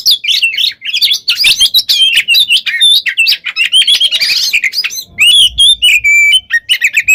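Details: Unbroken gacor konslet song of an Oriental magpie-robin, used as a lure to excite rival birds: crowded bright whistles, chatter and rolling trills, ending with clearer sustained whistled notes and a faint low rumble.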